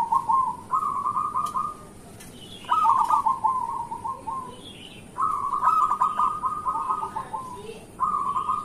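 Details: Local zebra dove in full song, a morning prompt for other doves: mellow trilled coos in long rolling runs with brief gaps between, steady background hiss.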